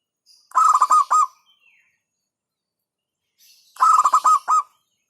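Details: Hentakan-style song of a local zebra dove (perkutut lokal), said to provoke rivals: two loud, clipped phrases of quick pulsed coos in rapid succession, separated by nearly three seconds of silence.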